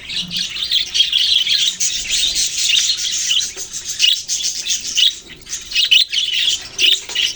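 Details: Chirping budgerigars, Australian parrots: a thick flock chatter of buzzy warbles and clipped chirps, briefly dipping in loudness before resuming.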